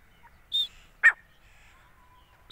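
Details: Female grey francolin calling: a clear high whistled note followed about half a second later by a loud harsh burst, then the whistle again, over a quiet background.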